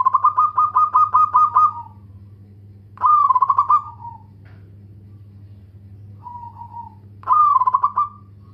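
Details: Local zebra dove, described as a loud, prolific singer with good rhythm, gives bursts of rapid, evenly pulsed cooing notes, each phrase lasting about a second and a half and separated by pauses, with a softer short note between bursts.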